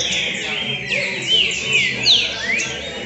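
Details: Trained green-winged saltator singing at a song tournament in São Paulo: loud, clear whistled phrases with rising and falling slurs, about two or three notes a second, over a faint background murmur.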